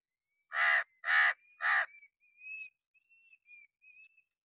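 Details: Hooded crow on a wooden perch in summer rain gives three quick, grating caws, followed by a string of soft, thin whistled notes fading away.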